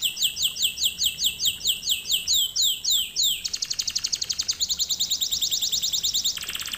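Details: Canary singing recorded as a lesson for canaries: a series of loud sweeping notes slowing toward the end, then a long rapid trill and a brief buzzy roll.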